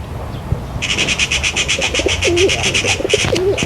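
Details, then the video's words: Low, gurgling pigeon coos with a dipping, wavering shape, under a fast series of high, sharp chirps from another bird, repeated nearly three times a second. "कबूतर की आवाज || kabutar ki awaz || Pigeon Sound"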